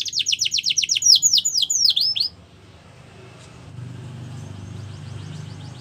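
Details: Canary song used for training young birds: a quick series of repeated downslurred whistled notes, then a sweeping rolled phrase, stopping after about two seconds and leaving low background hum.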